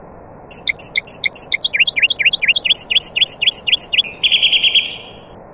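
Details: Nightingale in a chorus of other birds: a rich, rapid phrase of repeated slurred V-shaped whistles, dense high chips above. It ends in a sustained buzzy trill with a higher drawn-out tone, over a low hiss.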